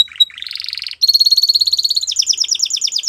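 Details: Belgian canary delivering rolling trills: a whistled note, a rapid buzzy roll, a steady pulsed trill, then quick repeated chirps, all high-pitched and continuous.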